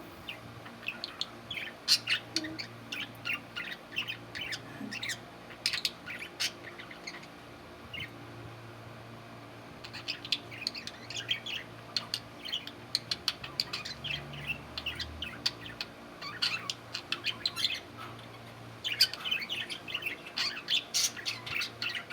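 Budgerigars chatter with quick, high chirps and warbles in irregular bursts.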